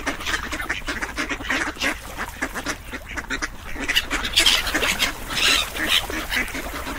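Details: A group of ducks keeps up a busy stream of rasping quacks, overlapping and irregular, growing louder in bursts toward the end.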